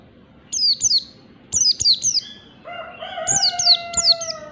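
An Oriental white-eye gives thin, high, sharply falling notes in quick bursts of two or three. A rooster crows in the background during the second half.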